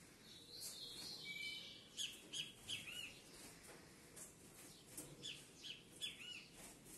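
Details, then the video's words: A captive pair of ultramarine grosbeaks of the harlequin mutation gives bright, high chirps and short whistled phrases, several notes a second, over a soft background hiss. "Casal Azulão mutação Alerquim. Sintonia padrão."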